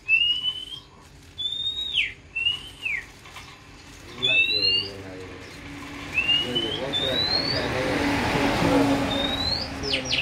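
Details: Oriental magpie-robin raised from young, singing a series of clear rising and falling whistles, later joined by human voices and hiss while rising whistles and chirps continue.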